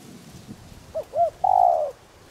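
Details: A single song phrase from a caged spotted dove decoy with a 'đồng' voice, meant to provoke wild birds. Two soft short notes lead into a long, bright coo over a low background hiss.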